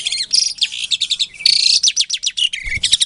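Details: Captive-bred Asian pied starling from a breeding facility in Klaten, Indonesia, recorded February 2022 as a lure to provoke silent starlings into answering: dense rapid chatter of sharp, high chirps and buzzy notes running almost without pause.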